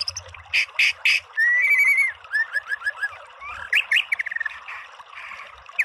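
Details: White-rumped shama in a training recording meant to provoke a bird into singing: three harsh rasping notes, then a sustained rising whistle, a string of short down-slurred whistles and a burst of quick chirps.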